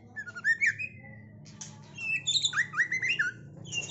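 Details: Caged Medan white-rumped shama, a contest-perch champion prospect: a short warbled whistle phrase, a pause, then a rapid chain of upslurred clear notes mixed with higher chirps.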